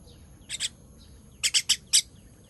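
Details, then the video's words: Fledgling being fed, 18.06.23, gives a pair of raspy high chirps, a pause, then four more sharp chirps in quick succession. "Feeding baby bird"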